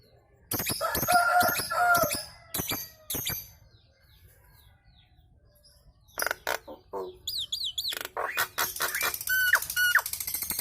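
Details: Kemrewek chatter from a Nias hill myna that gets other birds singing along: a harsh nasal burst and clicks, a few seconds of quiet, then fast clicking with zigzag whistles and brief steady tones.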